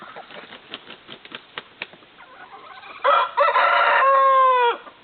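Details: Rooster hatched in an incubator, crowing outdoors by a duck pond, a loud drawn-out harmonic crow near the end, preceded by scattered clicks and faint background sounds.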